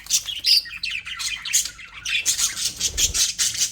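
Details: Pet budgerigars chirping happily: dense, continuous high warbling with squeaky chirps and scratchy chatter in rapid uneven bursts, busy and unbroken throughout.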